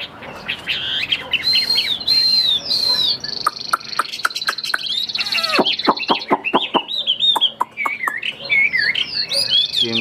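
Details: Caged Chinese hwamei of the Tam Hoàng type, a calm bird with a fine, steady voice, delivering rich whistled phrases that rise and fall, broken midway by a run of sharp dry clicks and taps, with a man's voice faintly behind.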